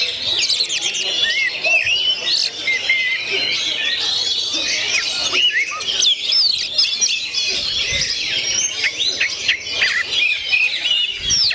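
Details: Oriental magpie-robin, gondo mayit type, pouring out a long, busy song of high whistles, trills and sharp swoops without pause, with faint background voices and occasional low thumps.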